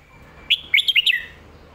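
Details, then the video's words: Short red-whiskered bulbul lagwai-style phrase: a single bright whistle, then four quick looping notes, loud and clear over a quiet background. "ลากหวาย/แม่บทชัดๆ เสียงดี#เสียงนกกรงหัวจุก"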